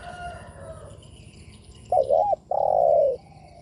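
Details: Spotted dove cooing meant to provoke other doves: one phrase of a brief wavering note and a long drawn-out coo, with soft distant bird chirps in the background.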